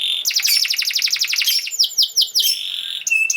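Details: Canary singing, used as training song for young canaries: a quick run of rising chirps, then a few descending swept notes, then a held high whistle.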